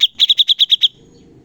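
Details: Cucak cungkok bulbul in a training recording meant to teach songbirds, with sharp 'tembakan' bursts: seven rapid, even, high chirps in under a second, then quiet.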